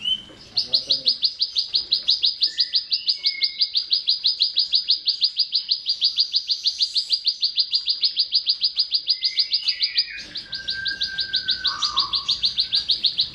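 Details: Bar-winged prinia song, used as a model for training cage birds, a long, very fast, steady high trill lasting about ten seconds, with a few short whistles from other birds around it.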